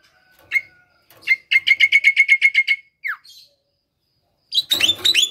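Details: Javan myna singing as a lure for lazy mynas: a rapid even string of about twelve sharp chirps on one pitch, then a falling slur and a closing burst of harsh squealing notes.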